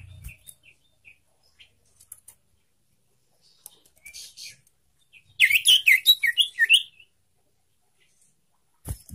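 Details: Young sirtu singing to prompt caged birds into song: scattered soft high ticks, then a rapid burst of jumbled, chirping notes lasting about a second and a half, and quiet again.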